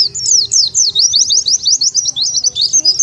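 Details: Lure call of the Oriental white-eye for attracting wild birds: a fast, unbroken string of sharp, very high chirps and twittering slurs, loud and busy throughout the few seconds.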